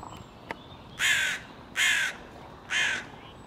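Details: Hooded crow (Corvus cornix) in Ljubljana, Slovenia, on 18 May 2023, giving three harsh, hoarse caws, each about a third of a second long, spaced roughly a second apart, over quiet background.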